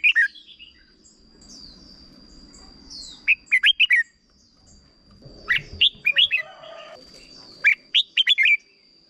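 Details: Red-whiskered bulbul, short 'double' song played for young birds to copy: repeated bursts of sharp, bright whistled notes, with a few scratchy chattering notes in between and a steady thin high whine behind.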